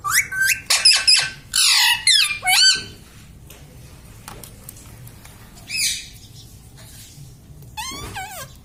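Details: Pet parrot described as saying mummy and papa, opening with a loud cluster of harsh, ringing, speech-like squawks, then quieter pauses broken by two brief wavering calls.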